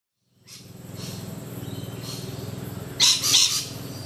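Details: Rainbow lorikeets, a group lingering in low branches, give two or three harsh, grating screeches near the end, with fainter shrill notes earlier, over a steady low hum.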